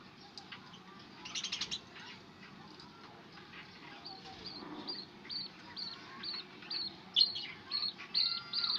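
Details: Budgerigar (Melopsittacus undulatus) giving quick, high chirps and scratchy chatter over a steady low background hum.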